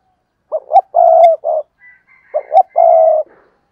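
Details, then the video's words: Decoy spotted dove calling to attract other doves. It gives a phrase of two clipped notes, a long mellow coo and a short extra note, then repeats the pattern. A thin, faint, high tone sounds between the phrases. "Chim Cu Mồi Cây Thúc Gù Và Gáy Gọi/ Cu gáy kích bổi nhanh nổi gù"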